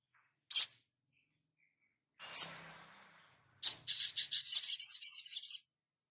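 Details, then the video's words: Sunbird (sogon) training master: two isolated sharp, high chirps, then a fast chattering run of high pulses lasting nearly two seconds. "Dasyatnya MASTERAN INI ‼️SOGON LANGSUNG NGLEPER ‼️"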